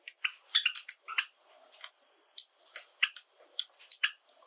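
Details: Domestic Java sparrows, a group of seven including white birds, kept together indoors. Quick bright chirps and clicky notes repeat about twice a second, with brief pauses and a faint room hum.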